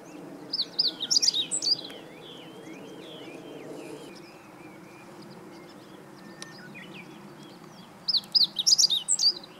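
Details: Meadow bunting heard on 20 March 2015 singing two energetic bursts of high, tumbling chirps several seconds apart, with quieter scattered chirping and a low background hum between them.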